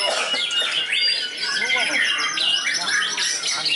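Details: Trained white-rumped shama singing at a contest field, a short, dense burst of rich fill-ins with high whistled notes, sweeping slurs and quick chatter running continuously.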